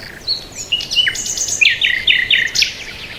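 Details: Birds chirp in fast, repeated high notes, with a run of evenly spaced, buzzy chirps in the second half over soft background noise.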